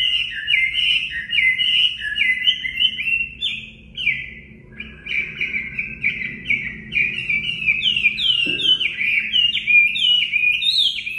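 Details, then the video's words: Chinese hwamei in the wild-type Họa Mi mộc style, used for voice training of caged birds. It gives loud whistled notes that slur downward, repeated almost three times a second in a rich, varied run, with a short pause midway. "Luyện giọng Họa Mi mộc"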